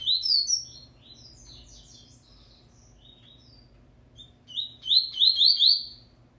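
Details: A captive double-collared seedeater, being prepared for the 2019/20 season, sings quick, high, twittering phrases of slurred notes, with one burst at the start and a louder run near the end, over a faint low hum.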